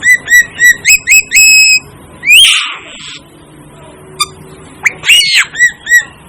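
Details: Asian glossy starling calling: six quick rising whistled notes in a row at about four per second, a harsh rasping squeal, then more brief whistled and slurred notes after a pause.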